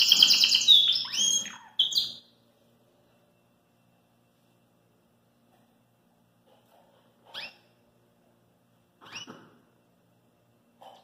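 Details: A Belgian canary singing out of its cage opens with two seconds of rapid, high trills and rolling notes, then gives a few brief, sharp chirps after long pauses in a quiet room.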